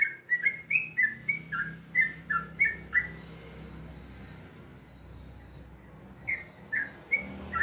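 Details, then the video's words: A yellow-vented bulbul sings a quick cluster of bubbly, slurred whistles in the morning, pauses several seconds amid faint background hum, then adds a few more notes. "alarm pagi,suara burung trucukan"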